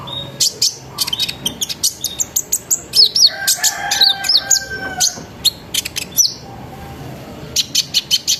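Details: Sunbird song used as a lure to get other sunbirds singing, in a chattering, rolling style with sharp shots: dense bursts of high sharp chirps and short trills, some downslurred whistles in between.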